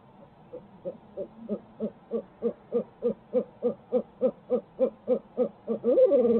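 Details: Barred owl recorded on a Midtown Tulsa live feed: a rhythmic chain of hollow hoots grows louder, about three each second, and ends in a loud, downslurred, drawn-out final hoot.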